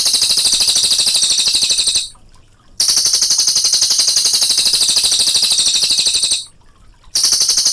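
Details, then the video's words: Cililin delivering its rolling song, compared to rifle fire: a machine-gun-like high trill in bouts of two to four seconds with short gaps between them. "CILILIN GACOR SUARA TEMBAKAN AK47 NGEROL JERNIH"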